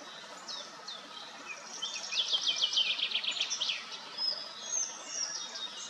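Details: Bathing common starlings at Madocsa chatter in a dense, scratchy run of clicks, rattles and thin high whistles, loudest in the middle, over a steady background hiss.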